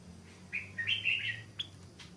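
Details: Newly caught wild stripe-throated bulbul being trained as a decoy, on a sunny day after rain, still holding back and not singing fully: a one-second burst of bright bubbling warbles, then two sharp chips, over low hum.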